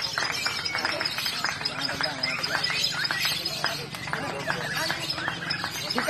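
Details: A competition lovebird in Samarinda chatters in fast, shrill, scratchy bursts with barely a pause, while men nearby call out encouragement and scores are read.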